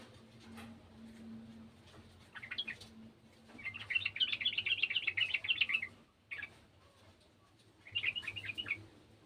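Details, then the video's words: Yellow-vented bulbul of the garden type delivers a dense two-second run of rapid bubbling notes, with shorter chirpy fragments before and after and a faint hum behind. "TRUCUKAN KEBON ikutan bunyi burung trucukan bahan"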